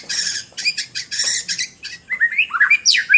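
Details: White-rumped shama in full song: a rapid run of harsh, buzzy chattering bursts, then clear whistled notes sliding up and down, ending in rising sweeps; varied and loud throughout.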